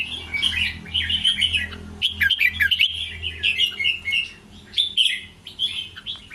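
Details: In the 'ble rik krajai' style, a red-whiskered bulbul delivers chirpy, slurred whistled phrases with short breaks between them, over a faint steady low hum.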